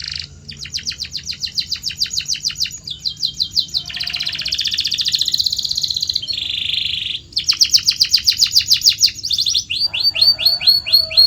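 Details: Canary singing long rolling training song to encourage other canaries: rapid repeated trills, dense buzzy rolls, a lower rattle, then sharp descending chips repeated quickly.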